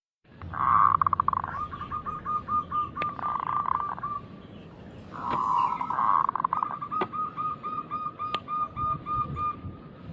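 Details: Local zebra dove song meant to lure other doves into singing: long runs of rapid, evenly pulsed coo notes, swelling then fading, over a noisy background with occasional sharp clicks.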